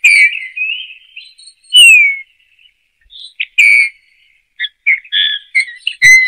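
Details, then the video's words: Eurasian bullfinch singing soft fluting whistles, some sliding downward, broken by short gaps and quiet creaky chirps, ending with a bright whistle; no other noise. "chant de bouvreuils - song Pyrrhula - طائر الدغناش"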